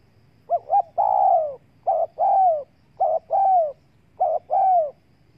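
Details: Spotted dove calling to lure wild doves: four phrases, each two short pulsed coos followed by a long, hoarse, slightly falling coo, roughly one phrase per second, over faint low background hum.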